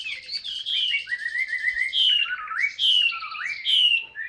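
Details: Chinese hwamei kept by a seller, singing the 'ngũ trường cao cầu' song style. Rich, loud whistles sliding downward, alternating with lower rising slurs, repeated about once a second.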